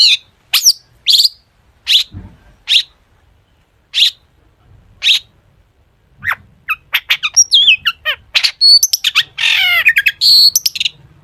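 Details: Long-tailed shrike singing actively with imitated phrases, used to prompt other shrikes to sing: single sharp chirps roughly every second, building into a fast varied warble of trills, slurred whistles and buzzy notes.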